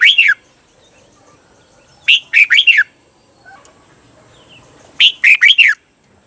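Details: Red-whiskered bulbul song for training caged birds: three crisp phrases of three or four arched, falling whistles, spaced roughly every three seconds with near silence between.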